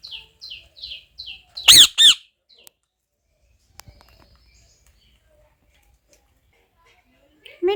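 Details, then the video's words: Parrot giving a run of five short, evenly spaced chirps, then two loud harsh squawks, followed by near silence with faint clicks and a brief low call at the end. "parrot 🦜"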